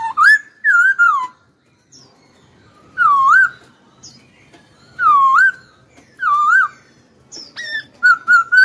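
A hwamei sings loud, rich whistled phrases that loop up and down, delivered in bursts of one or two seconds with brief pauses between.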